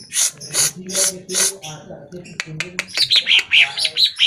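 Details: Greater green leafbird singing, played to provoke caged birds into answering: rough, rasping bursts repeated about twice a second give way to a string of sharp, descending whistled notes at the end.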